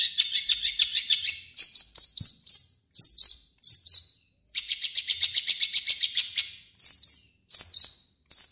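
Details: Long-tailed shrike imitating other birds within its song: rapid, rattling chirp series alternating with sharp whistled phrases, in repeated bursts with short pauses.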